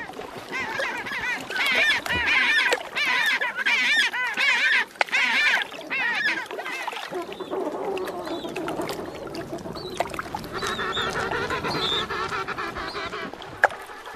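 King penguins give loud, trumpeting calls with a rapid warble, many voices overlapping.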